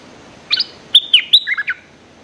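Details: Bulbul song used as a lure to draw birds into fighting: one short, loud phrase of liquid whistled notes, a few upslurred chirps then a falling, bubbling tail, over a quiet background.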